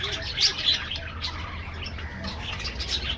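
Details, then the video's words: Colony budgerigars in an aviary give a brief stretch of bright, twittering chirps and grating warbles, several birds calling at once over a steady low hum. "budgies bird"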